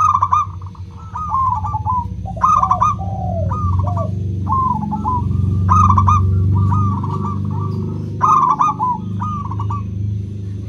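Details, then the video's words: Local zebra dove in the crystal voice style, used to prompt silent doves. Frequent phrases of quick staccato cooing, some from a lower second bird, over a strong continuous low rumble. "Pancingan PERKUTUT LOKAL suara KRISTAL, untuk memancing perkutut susah bunyi"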